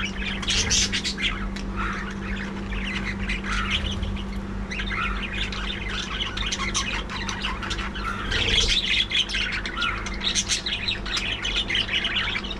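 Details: A colony of pet budgerigars in the morning, during a first diet treat, chatters loudly with overlapping squawks, chirps and warbled notes.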